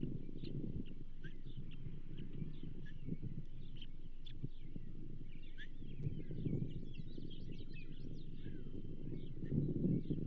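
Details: Osprey at the Charlo nest on 15 June 2024, during a second morning feeding on a pumpkinseed fish: thin, high chirps in quick, wavering bursts, thickest midway through, over a steady deep rumbling noise.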